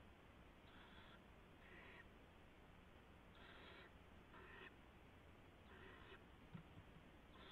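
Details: Barn owls in a nest at night on March 16, 2016, when a gopher is brought to the owlets. Scattered rasping hisses of about half a second, with a soft click near the end and steady background hum.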